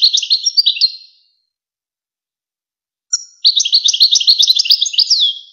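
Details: Tutoring recording of European goldfinch song, the famous Wakr Touzgha style, for goldfinch chicks and hybrids: a brief tinkling phrase, a pause of two seconds, then a long rapid twitter ending in a sweeping downward slur.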